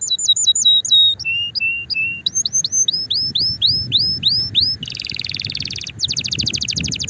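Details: Canary singing to excite other canaries and ready a female for mating: clear upslurred whistled notes repeated about three per second, then a buzzy roll and a fast rattling trill.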